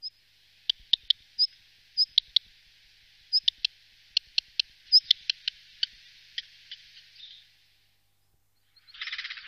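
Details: Wittlich valley black redstart, 2018: a thin high note and sharp, separate ticks repeat at uneven gaps over a soft hiss. A brief burst of broad noise closes the recording.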